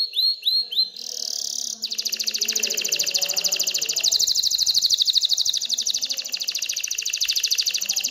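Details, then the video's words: Excited male canary song meant to stimulate females to mate and nest; a few sweeping notes lead into a long, rapid, rattling trill held steady at high pitch for several seconds. "تغريد كناري هائج لتحفيز الاناث على التزاوح وبناء العش"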